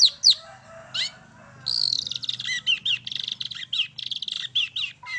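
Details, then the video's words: Long-tailed shrike singing, used as a lure to prompt other birds to sing: a few sharp opening notes, then a dense string of rapid, high chattering phrases with dipping whistled slurs over a faint low hum. "CENDET MAIN SATU TITIK"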